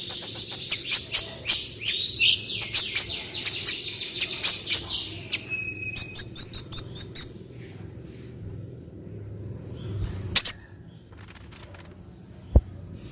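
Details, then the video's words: Olive-backed sunbird song recorded as a tutor for other birds: a fast, buzzy, trilled run of high notes, then a burst of evenly repeated chips, then quiet with a lone call. "MASTERAN KOLIBRI NINJA JERNIH"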